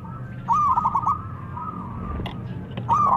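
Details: Zebra dove giving a song meant to draw answers from rival doves: rolling, wavering coo phrases at the start and end, with a softer steady tone between.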